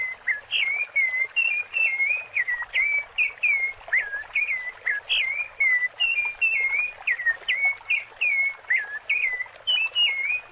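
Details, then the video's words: Rufous-bellied thrush singing the "Piedade Senhor" song: a steady run of short, clear, fluty notes, roughly two or three a second, rising and falling in a quick repeated pattern. "Sabiá Laranjeira Canto Piedade Senhor"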